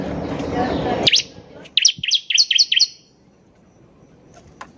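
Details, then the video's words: Singing bar-winged prinia (ciblek): after a loud noise burst, a fast series of about six bright, sharp chirps rising and falling, delivered in little over a second, then quiet. "PANCINGAN CIBLEK GACOR || CIBLEK BAHAN PASTI CEPAT BUNYI"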